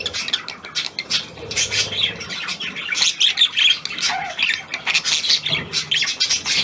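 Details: A new hand-tame Australian pied budgerigar indoors delivers a busy stream of scratchy squawks and shrill chirps in rapid, uneven pulses, with a faint low murmur underneath.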